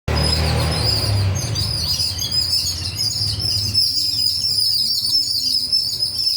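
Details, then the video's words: Many birds chirping together in a dense, overlapping chorus of high, quick tweets and short trills that never pause, over a steady low rumble that is strongest in the first second and a half. "Chirping Sound Of The Birds"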